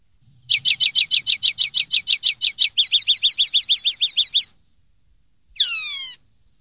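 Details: Common linnet song, recorded to teach young birds: a long run of some twenty rapid notes that shift into quicker down-slurred twitters, then after a pause one long descending whistled note.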